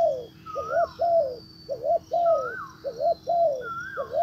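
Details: Captive spotted dove used as a decoy to call in a wild bird, in Vietnam. Soft, low, rhythmic coos repeat in short groups of two or three notes. A higher, wavering note is heard between the groups.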